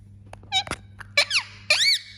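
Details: Pet Indian ringneck parakeet indoors making squeaky, harsh calls: short clicks and several loud rising-and-falling squawks in quick succession, over a low steady hum.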